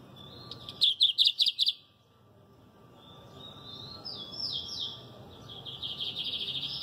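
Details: Lined Seedeater (bigodinho), a Brazilian songbird, sings a loud burst of about six quick, high chipping notes, followed by softer, buzzy, twittering trills at a high pitch.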